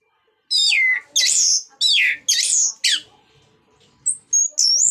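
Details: Orange-headed thrush singing ngeplong style to stimulate other thrushes: loud, sharply descending whistled phrases, several in a row, then short high whistled notes.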